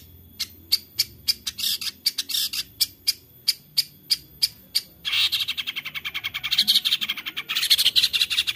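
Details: Long-tailed shrike (cendet) lure song from Central Java, phone-recorded: a steady string of sharp, high ticking notes about three per second, then a dense, fast buzzy trill with mixed chattering phrases.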